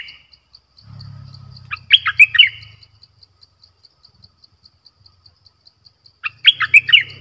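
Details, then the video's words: Caged bulbul kept as a decoy for luring birds, 18 December 2021: two bubbly, warbling phrases about four seconds apart, between them a steady ticking insect and a low hum. "เสียงนกดอกแตงEp.93 Birds sounds #นกต่อเจ้าเพชร Suara merbah lekir"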